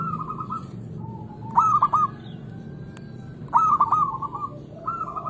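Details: Local zebra dove song meant to stimulate lazy doves into singing: short stuttering phrases of soft hooked coos, spaced roughly two seconds apart, over a low background rumble.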